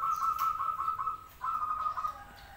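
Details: Actively singing local zebra dove giving two close, slightly wavering cooing phrases of quick pulsed notes, the first longer, over a quiet hiss.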